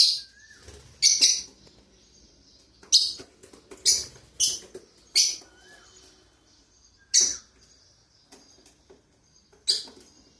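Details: Pet lovebirds starting their day indoors give loud, shrill single chirps every second or two, some doubled, with faint softer twitters between them.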